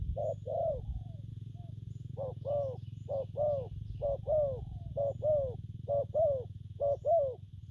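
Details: Spotted dove giving coo styles known as gù phóng, kèm and gù lăn săn: soft hooted double notes, a brief lead-in then a fuller falling coo, repeated in a steady run after a short pause, with constant low background hum.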